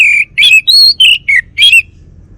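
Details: A Bali male orange-headed thrush, kept songbird, delivers six rapid clear whistled notes at slightly different pitches, some slurred downward, ending with a richer rising-falling note.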